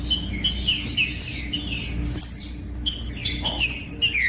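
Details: Green-winged saltator singing, a recording meant to get other birds of its kind singing: repeated short whistled phrases that dip and rise, broken by a brief gap, with a constant low background hum.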